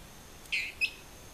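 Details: Dwarf tyrant-manakin near Mitú, Vaupés, Colombia, giving a quick two-part phrase, a buzzy note followed by a shorter sharp chip, high-pitched, against a quiet background.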